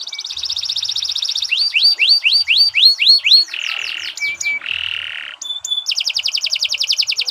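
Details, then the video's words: Canary in full song, recorded as a tutor song for training birds: rapid high trill, then a run of rising-falling swooping notes, a buzzy burst, short flat whistles, and another fast trill at the end. "Kicau Burung Kenari 164 II LUAR BIASA GACOR PANJANG Cocok untuk Masteran"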